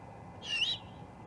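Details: A single raspy, breathy screech, slightly bent in pitch and lasting under half a second, from a juvenile great horned owl at the Charlo osprey nest on 21 October 2020. Faint steady background hum.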